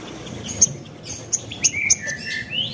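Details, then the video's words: Lure recording of a spiderhunter, meant to make other spiderhunters reply immediately: a few sharp, very high ticking notes, then short swooping whistles that slide down and rise again, over a soft constant background rustle. "Burung Sogon Manapun Bakalan Langsung Nyaut Dengar Suara Sogon ini"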